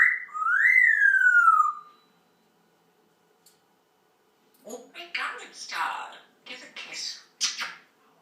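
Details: Grey parrot (Psittacus erithacus), talking.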